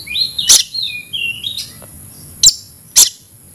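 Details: Kept Oriental magpie-robin (kacer) in aggressive fighting song: rising and falling whistled phrases with sliding notes, punctuated by three hard, explosive clicks spaced about half a second apart.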